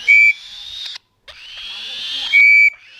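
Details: 35-day-old black-shouldered kite chick being hand-fed: two long hissing, wheezy screeches separated by a brief pause, framed by loud, flat, whistle-like beeps at the start and end.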